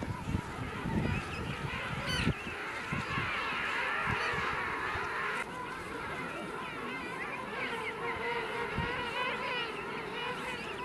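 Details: A dense colony chorus of king penguins at Fortuna Bay, South Georgia: many overlapping trumpeting, warbling calls with a wavering, honking quality, over low rumbles of wind and handling.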